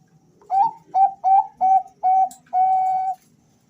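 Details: Male zebra doves calling back and forth, five short whistled coos at even spacing, each with a slight upward flick, followed by a longer sustained note, over a faint low hum.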